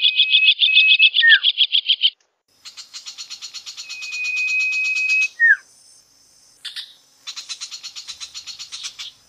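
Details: Long-tailed shrike in full song: rapid buzzy trills in pulsed bursts, a long thin whistled note, short downslurred chips, and pauses between phrases.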